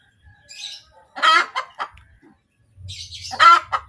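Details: Hen cackling after laying an egg: two bursts of harsh, broken clucking notes, each rising into a loud squawk, with a low mechanical hum in the background.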